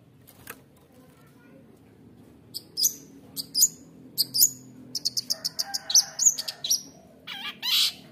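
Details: Long-tailed shrike, taken from the wild when young, with a fighter temperament, sings a full 'roll tembak' song meant to provoke other shrikes. A quiet start gives way to sharp, high chirps and short rattling bursts from about halfway, uneven in rhythm.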